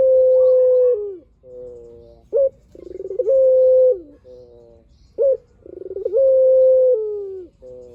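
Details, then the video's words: Spotted dove, a lively singing bird whose voice serves as a lure to draw other doves to answer, repeating low coo phrases: a short sharp note, a rolling lead-in, then a long steady coo about a second long, followed by softer coos. "PUTER GACOR SUARA PANJANG | PANCINGAN BURUNG PUTER"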